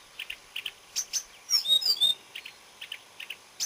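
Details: Marsh warbler singing on 30 May 2010: short paired high chips repeated rapidly, broken by a brief burst of sharp, sliding whistled notes in the middle.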